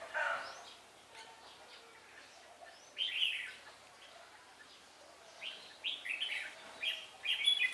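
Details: During trapping of wild birds in Vietnam, a decoy red-whiskered bulbul gives lively warbled phrases, a short burst followed by a run of quick bubbling notes after a pause.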